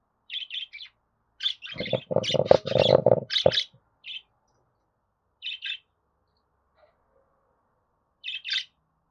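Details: Budgerigar chatter played to encourage pet budgerigars, male or female, to sing and talk; short chirps open, then a dense, loud burst of broadband squawky notes, followed by scattered paired chirps.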